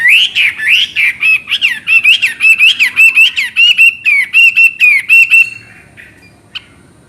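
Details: Chinese hwamei in full chattering song: a fast run of loud, clear whistled notes, each a rising-and-falling slur, repeated nearly twice a second for about five seconds, then stopping abruptly with one faint click after.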